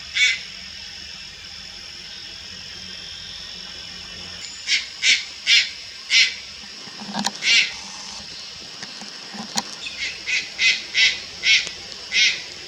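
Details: Juvenile Malayan night heron, Lugu, 4 August 2022: one rasp, a long silence, then clusters of short harsh hissing calls in runs, the last run of about seven coming quickly and evenly.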